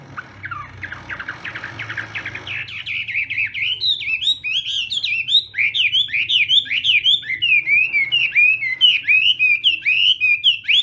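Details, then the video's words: Chinese hwamei singing in a contest-style morning voice-training session: a rapid, loud run of bright whistled and slurred notes, many per second, rising and falling in quick repeated phrases, after a softer, scratchy opening of varied chirps. "Hoạ Mi Hót Đấu /hoạ mi hót sáng luyện giọng"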